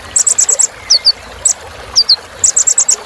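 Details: Sunbird filler song for exciting other birds: a fast run of bright high chips, paired thin downward whistles, then another quick chip series.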